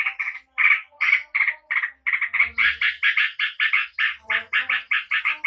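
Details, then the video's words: Fast rolling song of a yellow-vented bulbul, a Javanese bird, used as a lure to prompt quick replies: a stream of throaty, bubbly notes, some doubled, repeated about four times a second, with brief gaps early on. "SUARA TRUCUK GACOR ROPEL JERNIH"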